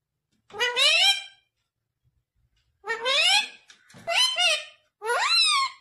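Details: Pet parrot talking, reportedly saying "mummy papa": four loud harmonic speech-like utterances, each with gliding, rising-and-falling tones, the last two coming close together like a paired word.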